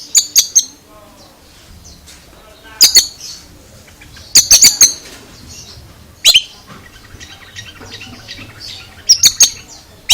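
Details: Oriental magpie-robin (kacer) making strange sounds: repeated groups of two to four sharp, piercing clicks, one with a descending sweep, spaced by pauses of one to three seconds.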